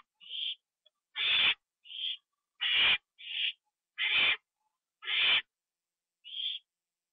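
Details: Owl given a treat at night, 25 September 2011, eaten indoors; short thin squeaky notes alternate with longer broad hissing screeches, an irregular back-and-forth pattern of about seven sounds.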